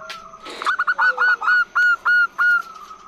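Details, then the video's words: Long call of a female zebra dove, used to draw in males: after a brief burst of noise, a steady series of about eight short, pure, whistled coos, evenly spaced and slightly fading toward the end. "Perkutut Gacor BETINA Suara PANJANG Untuk PANCINGAN"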